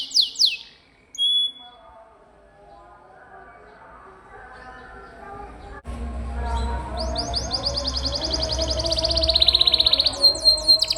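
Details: Canary in energetic 'gacor' song, for masteran training of pet birds: a few sharp high notes and a short whistle, then a quiet stretch with low background hum, followed by a long rapid rolling trill growing louder.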